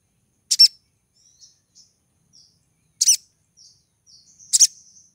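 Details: Brown-throated Sunbird female in breeding condition, calling to lure a male: loud, high, double-struck chirps roughly every two and a half seconds, separated by soft, short, thin whistled notes.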